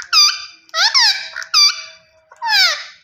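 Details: Rose-ringed parakeet (green ringneck parrot) giving loud harsh screeching calls, four strident bursts with stacked harmonics and falling sweeps over three seconds, indoors.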